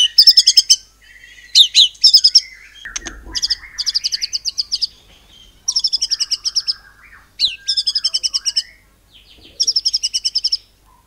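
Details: White-rumped shama in the 'nembak cungkok cililin' song style, meant to spur other birds to sing: loud bursts of rapid, rattling high trills repeated in phrases about every second, mixed with sweeping whistles and short chattering notes.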